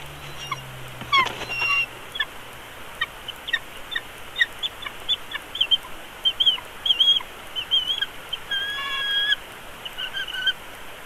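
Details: Bald eagle chick, hatched 3 March, begging while fed at its nest in Big Bear Valley on 17 March 2022: a busy run of short, high chips and peeps, some in quick clusters, over a steady low hiss.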